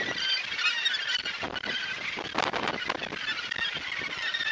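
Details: Australasian gannets at their breeding colony at Muriwai beach, Auckland, New Zealand, January 2022, heard from a lookout: a dense, continuous chorus of harsh, grating, overlapping calls from many birds, with sharper raspy bursts standing out.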